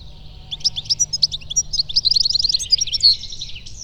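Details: European goldfinch singing its melodious song: a rapid, continuous cascade of high, tinkling, twittering notes running for nearly four seconds, with a faint low rumble underneath.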